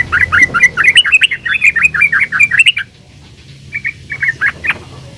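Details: Fast chattering run of bubbly warbled notes from a yellow-vented bulbul, a lure to make others sing, lasting under three seconds, then a brief hush before a softer second burst of six notes.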